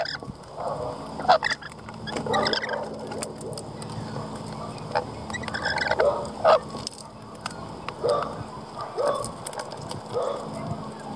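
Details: Lorikeets calling in short harsh bursts scattered through the clip, some screechy and broadband, others lower chattering notes, over a steady background hum and noisy ambience.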